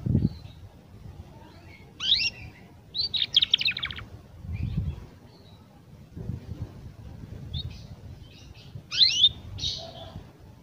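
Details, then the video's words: Young canary learning to sing, giving short bursts of high, chirpy twittering notes and quick trills separated by pauses, over low rumbling background noise. "Kenari Paud Belajar Bunyi"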